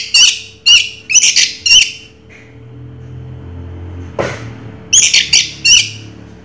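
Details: Orange-headed thrush (anis merah) giving raja teler song: sharp whistled and scratchy notes in quick groups, a pause broken by a brief rustling thud, then another quick group of ringing notes.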